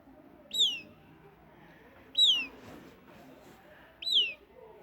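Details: Southern lapwing chick calling: three thin, high, sharply descending peeping notes, each about 1.5 to 2 seconds apart, over a faint low background murmur.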